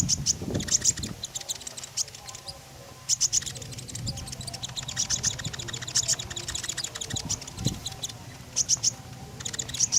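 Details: Common iora in full song, meant as a lure to set other birds singing: repeated groups of thin, high, clipped whistles and ticking trills spread across ten seconds over a faint low hum.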